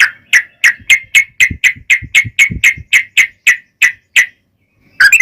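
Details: Yellow-vented bulbul in a lively, fighting-style long rapid song used as a lure to prompt other bulbuls to sing back. Short bright chirped notes repeat about four times a second, then stop. A brief burst of notes closes the clip.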